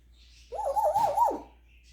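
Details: Captive African grey parrot, a male, doing his repertoire of mimicked sounds indoors; here a wavering, whining whistle like a dog's whimper, rising and falling for about a second in a quiet room.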